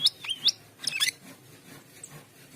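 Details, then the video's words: Short burst of Asian pied starling song, two squeaky whistled notes with wavering slurs followed by a louder tangled chatter, then quiet hiss. "Cucak keling gacor teler | Jalak keling"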